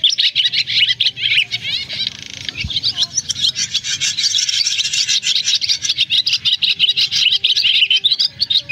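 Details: Roosting call of a swiftlet flock, played to lure birds into nets in August; a continuous high, scratchy twitter with buzzy grinding notes, briefly dipping to a softer rasp near the middle before the chatter resumes.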